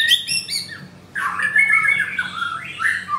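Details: Caged white-rumped shama with a blue leg ring, recorded close up at a bird kiosk in Kemayoran, Jakarta. It sings rapid high repeated notes, pauses briefly, then gives rich warbled whistles sliding between phrases, with faint low room hum.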